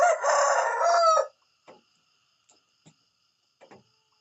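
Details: Rooster crowing in the morning: one loud, harmonic-rich crow lasting about a second that ends abruptly, followed by a few faint short clicks and taps.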